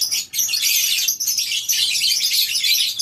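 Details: Morning at a lovebird breeding farm with a colony cage: a dense chorus of many lovebirds in shrill, high-pitched chattering and squeaky chirps, overlapping constantly without pause.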